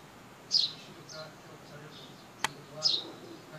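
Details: Sparrows recorded with a compact camera, two clear high chirps about two seconds apart with faint twitters between and a single sharp click.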